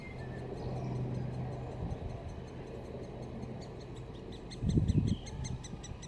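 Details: Great spotted woodpecker nestlings in their nest at Solleveld, 26 May 2018, chattering as parents come to feed. Fast, evenly spaced high ticking notes run through the clip over a steady low hum, with a louder low thump near the end.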